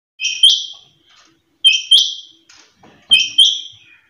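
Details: Quail calling: a sharp, high two-note call, the second note quickly following the first, repeated three times at roughly one-and-a-half-second intervals in a quiet setting.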